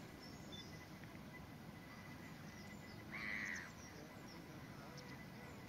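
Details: A Grey Phalarope, a rare wader, at Cheddar Reservoir, Somerset, on 15 September 2018, gives one short, slightly buzzy mid-pitched call over steady wind rumble and faint background hiss.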